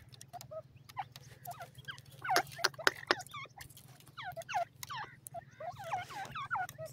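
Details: Baby francolins, Sindhi tetar, in Pakistan: rapid runs of high, down-curving cheeps from several chicks, growing louder midway, with scattered clicks and a steady background hum.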